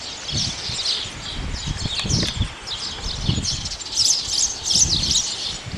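A male house sparrow gives a busy run of bright, repeated chirps, several a second, over low thumps and rustling.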